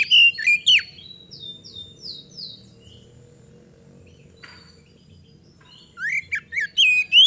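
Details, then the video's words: Oriental magpie-robin (kacer) singing energetically as a lure to prompt a response: bursts of sharp slurred whistles, a short series of descending buzzy notes, then a quiet pause before more rising whistled phrases. "PANCINGAN KACER GACOR AGAR CEPAT RESPON"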